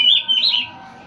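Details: Oriental magpie-robin giving a short whistled phrase that wavers up and down, then fades, leaving a quiet background hum.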